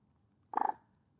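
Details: Common moorhen call: a brief burbling croak of four or five fast pulses, mid-pitched and slightly nasal, in quiet surroundings.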